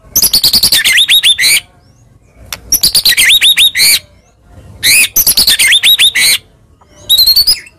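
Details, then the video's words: Lure recording to rouse a silent white-rumped shama: four loud bursts of rapid varied song, mixing harsh notes and upswept whistles, separated by quiet gaps of about a second. "Pancingan Handal Buat Murai Diam Seketika Langsung Emosi"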